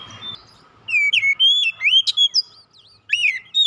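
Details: Lure song of an oriental magpie-robin meant to make silent birds start singing: a rapid run of clear, sliding whistles and sharp upswept notes, a brief lull, then more whistles. A soft low rumble opens the recording.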